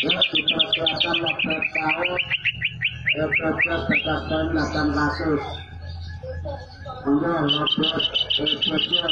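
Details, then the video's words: Greater green leafbird singing with canary-song fill: rapid repeated whistled notes sliding steadily downward, then varied chattering phrases and high rapid trills, over a low humming background and faint music. "cucak ijo gacor isiannya burung kenari"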